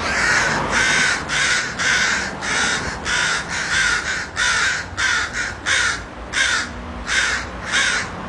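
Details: Street crows in West Hollywood cawing repeatedly, roughly thirteen rasping caws in eight seconds, short and grating, sometimes in quick pairs, over a soft low background hum.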